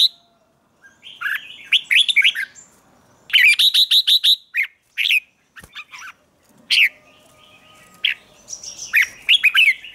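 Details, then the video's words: Red-whiskered bulbul morning song used for training, in a 'chè' style meant to rouse other birds: bursts of bright warbled phrases, rapid clicking trills and short falling chirps separated by brief pauses, with a faint low hum behind. "Luyện chào mào hót sáng, QUÁ HAY - CHÉ KÍCH BỔI CĂNG ĐÉT, Cách luyện chào mào hót căng lửa"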